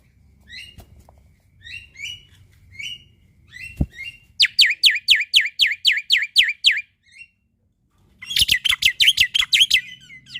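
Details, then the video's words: Male black-winged myna with a full repertoire, played for young starlings: spaced soft whistled phrases, then a quick series of downslurred notes and finally a harsh, buzzy rattle. "Masteran Burung Jalak Putih Gacor Full Isian Untuk Jalak Nusa / Jalak Pito Muda"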